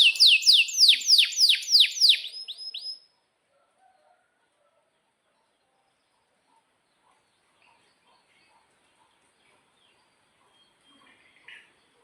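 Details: Canary in song: a rapid series of about ten loud downslurred sweeping notes over three seconds, then near silence with faint scattered clicks.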